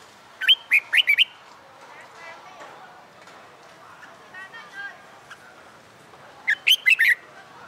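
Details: Wild-caught red-whiskered bulbul, caged for a few months and in training for fighting song, gives two bright phrases of quick whistled notes sliding between high and mid pitch, separated by a quieter stretch of softer warbling and low voice-like sounds.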